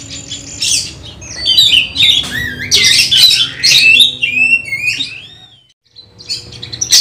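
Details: Song of an oriental magpie-robin being trained for a bird singing contest: rapid whistles, downward slurs and harsh squawky notes, fading to near silence around five seconds before resuming.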